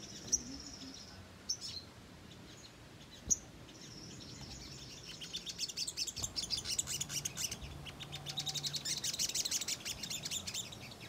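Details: ['Ruby-cheeked sunbird in full chatter, recorded as bait to stir sunbirds into calling back. Scattered thin high chips open, followed by a long stretch of fast, sharp twittering that grows denser toward the end.']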